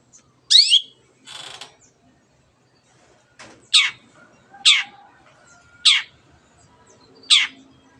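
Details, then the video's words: Long-tailed shrike in song, meant to provoke other birds to sing: a sweeping rising note, a soft hissing burst, then four sharp downslurred calls spaced about a second apart over light background noise. "CENDET GACOR MENJADIKAN YANG DIAM IKUT GACOR the sound of shrike birds"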